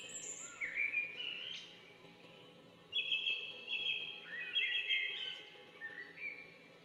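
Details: Bulbul gives clear, fluty warbled phrases in two bursts separated by a short pause, notes rising and falling in quick slurs, the second burst longer and more varied; soft steady background hum throughout.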